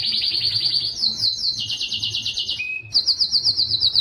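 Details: A Belgian canary sings loudly to attract breeding females, delivering high, rapid buzzing trills in quick succession, a brief lower whistled note, then another sharp high trill, over a soft low hum.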